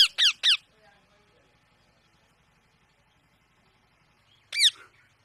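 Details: Indian parrot squawking indoors: three rapid, harsh, falling screeches at the start, a long quiet stretch with faint low hum, then one more rasping screech near the end.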